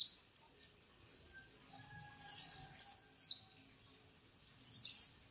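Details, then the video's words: Kept white-eye (pleci) song: soft high warbles, then loud bursts of quick, sharply falling, squeaky notes in short clusters. "My pleci bird"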